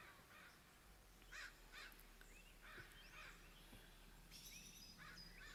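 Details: In summer in lush forest at Alert Bay Ecological Reserve, crows give scattered harsh, hoarse caws, singly and in pairs, over steady hiss, with a few thin high notes from small birds.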